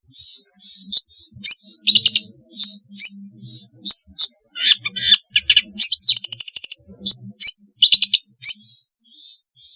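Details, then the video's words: Long-tailed shrike song played as therapy to get lazy shrikes singing: a varied run of high chirps, buzzy bursts and rapid trilled notes in quick succession, with a faint low hum underneath. "suara asli cendet untuk terapi cendet malas bunyi agar gacor"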